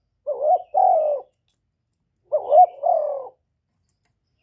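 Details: Spotted dove cooing to lure wild doves: two low, two-part coos about two seconds apart, each a short rising note followed by a longer steady one.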